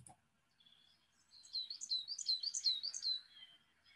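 Coal tit song: a quick run of high, thin two-note phrases, bouncing up and down about three times a second, with a faint click at the start.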